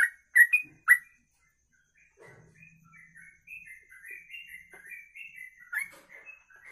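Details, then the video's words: Sooty-headed bulbul kongslet ropelan song: three loud whistled chirps open, then after a short gap a softer, rambling warble of gliding whistles continues, with one strong chirp near the end and a faint low hum. "Trucuk Kongslet Ropelan Panjang, bisa buat masteran"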